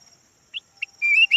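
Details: Yellow-form red-whiskered bulbul used as a decoy: two short chip notes, then a loud rolling, upward-sweeping whistled phrase in two parts; faint high electronic hum underneath.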